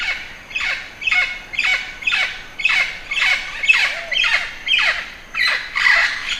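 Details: A budgerigar gives loud harsh squawks, each sliding downward, repeated roughly twice a second in a steady series.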